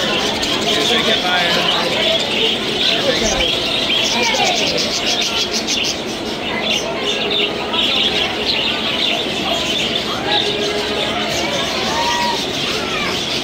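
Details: A dense flock of parakeets being fed by visitors at the Indiana State Fair on August 13, 2024 chatters nonstop in high, scratchy chirps and warbles, with people talking in the background.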